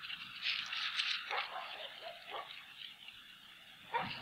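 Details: Female bald eagle on a frozen Hanover nest, evening of 10 February 2017, laying the first egg of the season; rapid squeaky, yelping notes with falling slurs, amid constant rushing wind noise.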